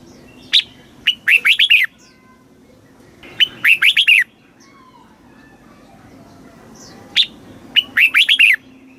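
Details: Red-whiskered bulbul from Thailand giving southern master-style song to tutor young caged birds: an opening sharp note, then clustered bright warbled whistles, three phrases spaced roughly three seconds apart.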